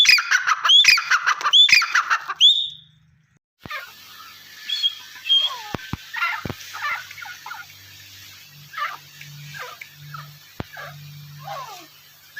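Partridge giving loud, harsh, rapidly repeated calls, then softer scattered chirps, with a low hum in the background.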